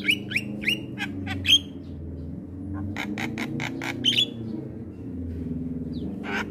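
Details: Singing Javan myna from a training recording meant to excite other mynas: quick rasping chips with bright whistled flicks over a steady low droning background.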